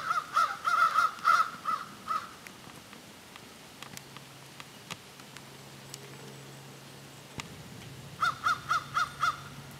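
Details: Crows trading calls: a quick volley of harsh caws at the outset, a long lull with a low steady hum and occasional clicks, then a neat series of five rhythmic caws roughly a third of a second apart.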